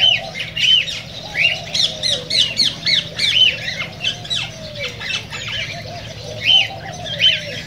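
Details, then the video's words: Cockatiels heard in a recording played to stimulate them to sing and mate: a busy series of loud, upswept whistled squawks, often two or three in a row, over a low wavering murmur of other birds. "تغريد كوكتيل"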